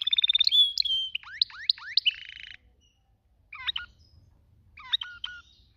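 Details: Canary song beginning with a clear whistle and quick notes, then hooked downslurred calls, a buzzy phrase, and after silence scattered short chips.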